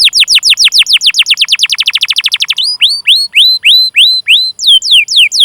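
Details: Canary song used as a training lure for young or silent canaries, long chirping roll: a rapid series of falling whistled notes, then slower upswept whistles repeated about three per second.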